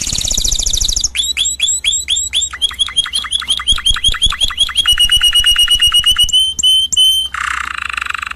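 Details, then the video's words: Canary song from a full song-training compilation: a buzzy rolling opening, then fast repeated chip notes sliding downward, steady trilled tours and a low rolling phrase at the end. "Chant Canari CD 2016- اسطوانة تغريد كناري جاهزكاملة"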